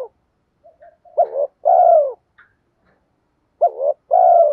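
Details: Lure call of a spotted dove used to rouse other doves: low hollow coos in pairs, a short wavering note followed by a drawn-out falling coo, repeated twice with quiet soft notes in the gaps.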